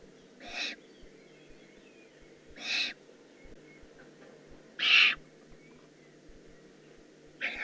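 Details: Juvenile Eurasian eagle-owl in the Eifel, recorded 18 June 2016, giving harsh, hissing screech bursts about a third of a second long, repeated roughly every two seconds, with a faint steady hum behind.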